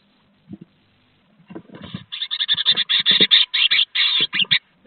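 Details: Great tit in a nest box at Théding, 2 June 2023, during a second brood: an intruding great tit (possibly a male) violently expels the nesting female in the evening; harsh, buzzy rasping calls in about a dozen bursts, after thumping and scuffling.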